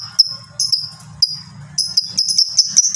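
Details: Caged fighter lovebird calling in ngekek style: sharp, piercing high chirps that run into a fast, stuttering chatter toward the end, with a low hum underneath.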